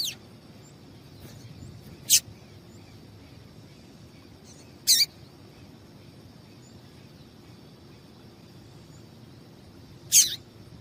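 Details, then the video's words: Calls of a female double-collared seedeater, given to prompt male song: three isolated, piercing high chirps separated by long quiet gaps of about three and five seconds, with soft background hiss. "Faça o teste com Esse Piado de Fêmea de Papa capim é Seu Papa capim Vai Ficar Cantando RÁPIDO!!!"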